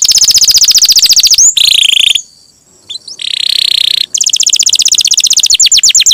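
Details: Canary in full song, played as a lure to set other canaries singing: rapid high trills, a buzzy rolling phrase broken by a short hush, then quick trills resuming to the end.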